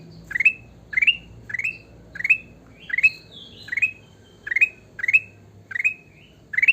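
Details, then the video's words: Sooty-headed bulbul singing vigorously, with ten brisk rising whistled phrases in steady succession about two-thirds of a second apart, and occasional higher sliding whistles woven between them. "burung kutilang emas gacor"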